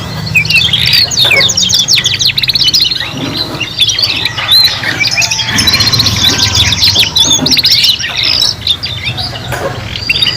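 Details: Young canaries learning to sing as a trio: continuous rolling high trills and choppy chirped phrases, several voices overlapping, with low-pitched background hum throughout.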